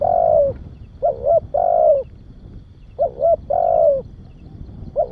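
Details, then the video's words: Spotted dove call for stimulating and training young doves, phrased as two quick paired coos followed by a long, slightly descending coo, repeated twice in steady rhythm, with a faint low hum beneath. "Tiếng Chim Cu Gáy Kích Bổi Và Luyện Cu Gáy Non Rất Hay Không Tạp Âm"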